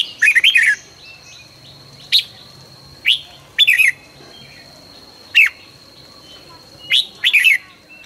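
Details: Morning song of a red-whiskered bulbul in training, 2020, sung fast and intensely: bright slurred whistles, some doubled or tripled, repeated about every one to two seconds, with a constant high-pitched whine behind.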